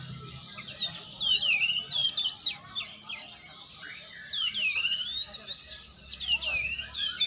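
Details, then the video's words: Kacer, the oriental magpie-robin, in a training session, delivering bright whistled phrases with swooping slurred notes and rapid buzzy trills, bursts separated by short pauses, against a faint low background hum. "latihan burung kacer"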